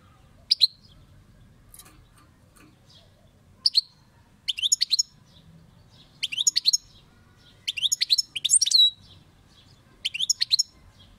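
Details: European goldfinch, a kept bird, singing in short bursts of high, bright twittering notes with tinkling trills, separated by pauses of about a second; faint low hum in the background.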